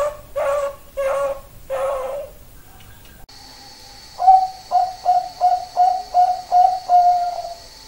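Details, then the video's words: Champion Bangkok-type zebra dove in a training recording: after three rough, buzzy low notes and a pause under a steady high hiss, a brisk series of eight short, even coos follows. "MASTERAN SUARA PERKUTUT BANGKOK JUARA"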